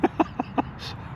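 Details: Unseen woodpecker pecking in a tree behind the listener on the Mimico Creek trail in the morning: four quick, even taps on wood at about five knocks a second, followed by a brief breathy hiss.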